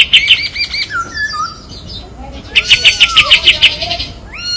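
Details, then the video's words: Kapas tembak white-eye song used as training master, described as sharp and piercing with tight besetan trills: thin descending whistles, then a rapid burst of bright repeated chips near two-second mark, ending with a rising whistle. "SUARA KAPAS TEMBAK TAJAM DAN PEDAS‼️ SPESIALIS BESETAN RAPET PALING COCOK MASTERAN"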